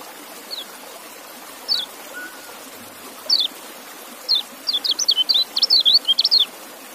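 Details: Scattered single high chirps from a white-eye, spaced over a second apart, then a fast tumbling run of zigzagging whistled notes, with steady background noise throughout.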